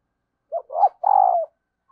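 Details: Calling of a female dove to arouse males, said to draw quick replies from wild birds: a short note, a rising note, then a long falling coo with a slight tremor, followed by a faint brief note.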